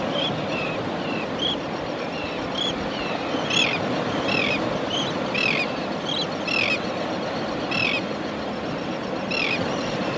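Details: A South American tern (Sterna hirundinacea) preening at Chabunco, 20 km north of Punta Arenas, Magallanes, Chile, gives short, harsh, down-slurred calls, thin and scattered then louder and rasping about once a second, over steady wind or surf roar.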